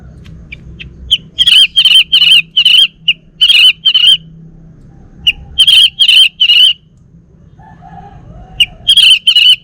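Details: Male orange-headed thrush from Bali, a home-kept bird in Singaraja, North Bali, singing bursts of loud whistled notes in quick clustered phrases, with pauses between groups and faint low background hum.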